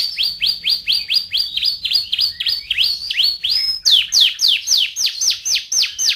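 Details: Champion canary of Indonesian contest standard, a 'gacor' singer offered as a master recording. A rapid rolling trill of sliding notes shifts midway into louder, higher, slower down-sweeping whistles repeated evenly.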